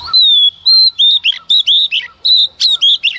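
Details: A female Oriental magpie-robin sings hard at dawn to provoke males. Around a dozen loud, pure whistled notes come in a steady rapid stream, each slightly falling or wavering, with brief buzzy accents between them.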